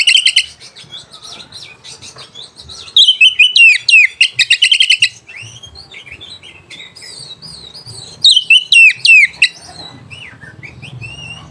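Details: White-rumped shama song for provoking rival birds and stirring mating: rapid chattering notes, then loud fast series of sharp downslurred whistles, softer varied phrases between, and a second loud burst before fading into quieter twitters.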